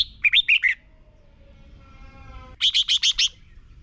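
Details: Red-whiskered bulbul song from Thailand, played each morning for young birds to copy: a four-note warbled phrase, a faint humming tone, then a crisp run of five rapid even notes.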